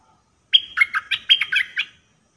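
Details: Red-whiskered bulbul decoy bird kept caged for trapping, singing the dok taeng style: a brisk phrase of about eight bright, warbling notes in quick succession, with no other sounds.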